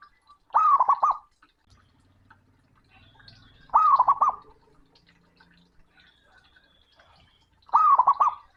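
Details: Loud, booming song of a male zebra dove answering a rival, three quick rolling trilled coos spaced roughly three and a half seconds apart, with faint low background rumble between phrases.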